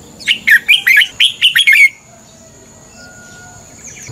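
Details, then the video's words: Red-whiskered bulbul fighting song in morning singing training: one long run of about eight rapid, liquid whistled notes, followed by near silence. "Luyện chào mào hót sáng. chào mào hót đấu"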